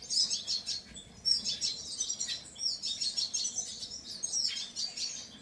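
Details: Painted bunting with quick, sweet, high twitters and thin whistled notes delivered in rapid rhythmic pulses, nearly without pause.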